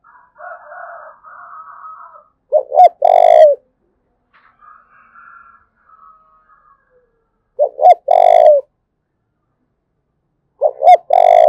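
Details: Thúc bổi calling by a spotted dove from Đồng Nai, Vietnam: three loud, low coo phrases of two quick notes and a long throaty coo, spaced by quiet gaps with faint higher wavering calls in the background.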